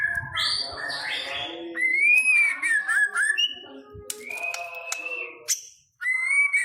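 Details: Song of a white-rumped shama in the style called pastol, played as a lure to make other shamas sing. Clear whistled phrases rise and fall, mixed with chattering notes. A short silence comes near the end before the whistling resumes.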